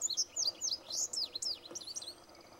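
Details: Indigo bunting singing on June 6th at Eagle Bluffs Conservation Area: a quick run of high, sharp sweeping notes, mostly in pairs, rising and falling in bright bursts over about two and a half seconds, with faint background hiss.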